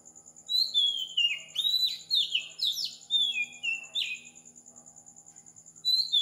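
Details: Oriental magpie-robin at 4 am in Sri Lanka delivering a dense run of loud, sweet, downslurred whistles and short chirps for about three seconds, backed by an even, quick-pulsing high insect trill.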